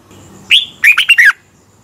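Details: Red-whiskered bulbul lure phrase for morning training and competition singing: one brief slurred rising whistle followed by a tight run of four bouncy notes dropping slightly at the end.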